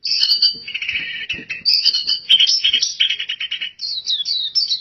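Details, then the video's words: High-pitched, busy warbling from an oriental white-eye, known locally as pleci, singing in full gacor style. Layered trills and chirps flow with barely a pause, some notes slightly lower and fuller. "PLECI GACOR DORR Suara Mantap abis"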